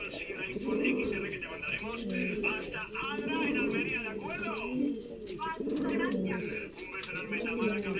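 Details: Breeding-condition male Canary pouter pigeons coo in low, bubbling, repeated arcs, calls overlapping from more than one bird, with higher bird chatter and some voices in the background.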